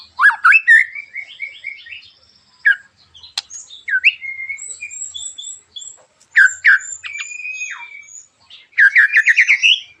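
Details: White-rumped Shama giving sharp, harsh song to goad other shamas into singing. Rising whistled notes and rapid repeated chips mix with thin high whistles and short buzzy rattles, ending in a fast rising series.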